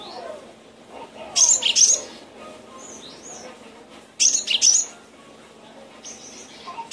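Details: Cinereous tit (gelatik batu) recorded for cage-bird training, giving two harsh, buzzy bursts mixed with sharp high notes, separated by about three seconds of quieter thin whistles.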